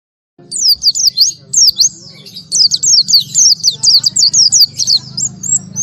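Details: Oriental white-eye (pleci) singing in the 'tembakan tanpa nafas' style: rapid high, thin, sharply sliding chirps in quick bursts after a brief silence, over a low steady hum.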